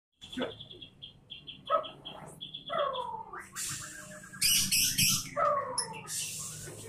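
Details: White-rumped shama song: a series of short, evenly repeated high notes, then tumbling varied phrases and harsh bursts, somewhat noisy with faint background voices.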